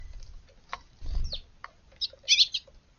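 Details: Young Eurasian tree sparrow in a garden on a quiet morning, 16 June, giving short, scattered high chirps with a louder cluster of bright notes near the end; brief low background rumble.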